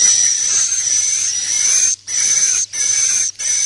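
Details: Swiftlet roost-luring call made of sustained, high, hissing buzzes with a thin whistled edge, each lasting over half a second and separated by brief silent gaps.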